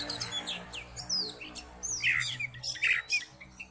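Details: Oriental magpie-robin in fighting mode, provoking rival magpie-robins with quick squeaky slurs and harsh scratchy bursts, set against a constant low droning hum.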